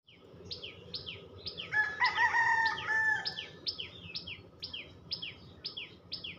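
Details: A common tailorbird (Orthotomus sutorius) gives sharp, high, downward-sliding chirps about twice a second, with a rooster crowing briefly midway over a low background hum.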